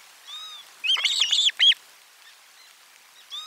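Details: Osprey at nest 4, 12 July 2022, lunch fish arriving: soft whistles, then a loud, tight burst of overlapping sharp chirps lasting about a second, followed by quieter calls.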